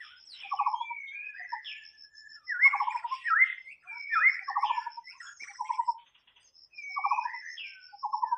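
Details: White-rumped shama in the wild delivering a varied song of sweeping whistles and rattled pulse bursts, repeated every second or so, with a brief pause near six seconds.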